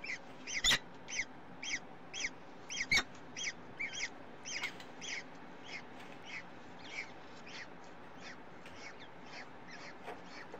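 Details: Peregrine falcon in Brussels, Belgium, recorded 8 April 2015 at 18:42: harsh, harmonic-rich calls repeated in a quick series about two per second, weakening and spacing out after six seconds, with two sharp knocks early on.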